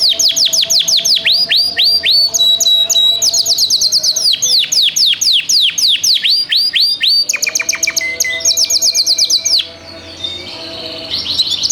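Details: A canary with a 2025 ring delivers a long, loud song of fast repeated downslurred notes, roughly four per second, with changing phrases and brief steady tones. The song ends abruptly near the close.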